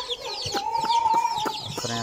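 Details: Baby chickens playing, giving a busy stream of high, thin, downward-sliding peeps that overlap one another, over a steady sustained tone and background music.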